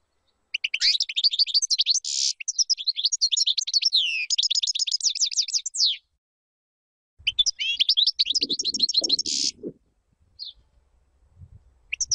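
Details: European goldfinch song played for teaching chicks: rapid tinkling, twittering phrases with buzzy notes in two long bursts separated by a pause, followed by faint low rustling and a few scattered chirps.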